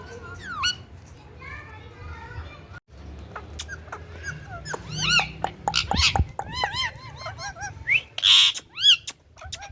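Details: Indian ringneck parrot uttering shrill, bending whistles and repeated arched squeaky calls, growing louder toward the end, over a steady low background hum.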